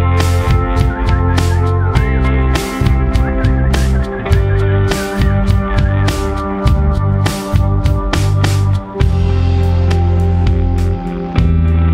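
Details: Loud music with heavy bass and steady percussive beats fills the whole recording, with no clear animal voice.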